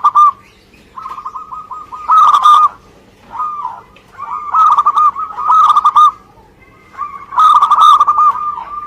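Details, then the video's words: Local Indonesian zebra dove (perkutut) singing energetically: bursts of fast, rolling cooing notes near one pitch, each phrase about a second long, separated by short pauses, with a faint steady low hum beneath. "Suara Gacor perkutut lokal"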